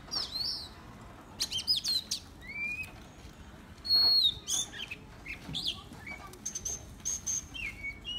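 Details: An Oriental magpie-robin decoy bird sings a varied run of clear, high whistles and sweet slurred notes, some rising and some falling, with a few short chirps between phrases.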